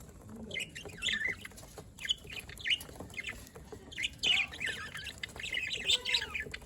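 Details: Captive budgerigars in Larkana, Sindh, 27 October 2023, giving bursts of chattering chirps and rasping squawks in clusters about a second apart, several birds calling together over a low background hum.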